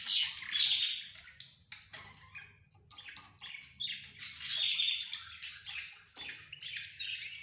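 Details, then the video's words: Several caged pet birds, including budgerigars, zebra finches and a canary, call together. Dense, high, scratchy chatter and squawky chirps come in surging waves over a faint low hum. "حديث الطيور"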